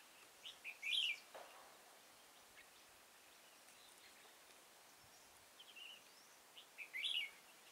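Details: Red-whiskered bulbul at a trapping spot in Kim Bôi, Hòa Bình, Vietnam, 6 April 2017: two crisp warbled phrases about six seconds apart, with faint scattered chips between them over light hiss.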